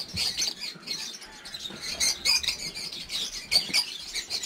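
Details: Lovebirds in a huge breeding aviary during the 2019 nesting season: dense, overlapping high-pitched chirps and squawks from many birds at once, with bursts of louder sharp calls and possible wing flutters.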